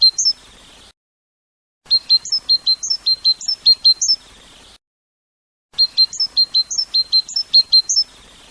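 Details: European goldfinch kept by a fancier, singing in the bibtiba style: bright, high twittering bursts of short, sharp chirps, each followed by a brief silent gap, with notes tumbling rapidly in uneven runs.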